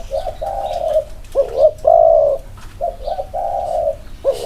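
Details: Spotted doves, two birds compared side by side for cooing style; long smooth hollow coos broken by short wavering notes, one bird louder and nearer, the other softer behind.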